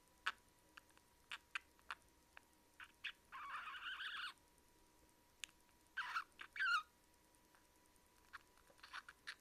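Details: Pet budgerigar being affectionate, making throaty kyu-kyu sounds; quiet indoor recording with scattered soft clicks and ticks, a raspy buzzy burst lasting about a second, then a short gurgling double burst with a brief warbled note, before more faint clicks.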